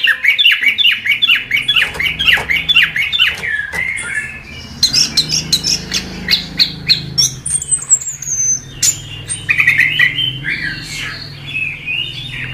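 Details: Chestnut-capped thrush in gacor masteran song for training songbirds: opening with harsh repeated squawking notes, then sharp chips, a descending high whistle and more scratchy phrases, with a faint low hum beneath.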